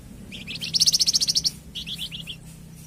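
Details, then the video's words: Song of the Flamboyan bird, played to train captive birds and get them singing: short high chirps lead into a loud, evenly pulsed trill of piercing notes lasting nearly a second, then a softer run of descending chips. "Suara Kicauan Burung Flamboyan"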